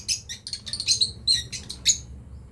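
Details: A breeding pair of lovebirds chattering in a fast, continuous series of ringing, squeaky high chirps, several per second throughout.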